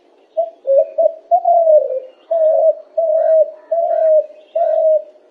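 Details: A bird gives low, soft, hollow cooing notes in a steady series of seven or eight, some slightly wavering or falling, each lasting about half a second.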